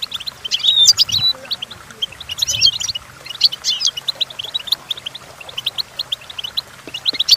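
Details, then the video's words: Goldfinch singing, played to teach goldfinches their song: dense, busy stream of high tinkling chirps, strongest in the first half, with a couple of faint low thumps. "The Entrancing Song of Goldfinches"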